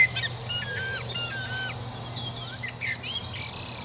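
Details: Common blackbird singing a run of clear, repeated fluted notes at a steady mid pitch, ending in a scratchy high twitter, with other faint chirps and a constant low hum in the background.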